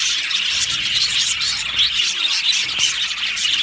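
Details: Short burst of budgie flock chatter in an aviary, many birds chirping and warbling at once in a thick, even, high-pitched chorus.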